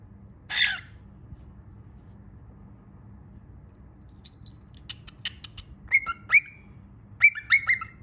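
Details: Baby cockatiel: one harsh, breathy burst, a pause, then a quick series of short, sharp chirps and a few rising, whistled squeaks near the end, with quiet room hum underneath.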